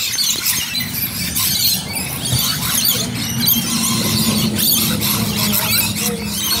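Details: Rainbow lorikeets gathering in Bonnyrigg, a dense chorus of shrill, harsh screeches and squeals overlapping continuously, with a low steady hum in the background.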